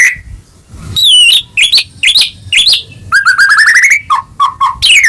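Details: Caged-bird trigger song of a White-rumped shama, meant to stir a silent bird into singing: sharp downslurred whistles, a fast rising series of repeated notes, then short low chuckles and a high descending sweep.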